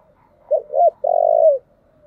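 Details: Spotted dove lure song used to attract wild doves: two short rising coos followed by one long, even, low purring coo, clean and with no other sounds.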